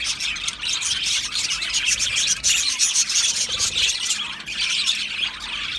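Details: Australian budgerigars keeping up a thick stream of high chirps and squeaky twitters, several birds calling over one another throughout.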